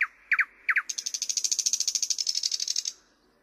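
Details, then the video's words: Thrush nightingale singing: a few sharp doubled notes, then a fast, even rattling trill of about two seconds that ends abruptly. "Luscinia luscinia"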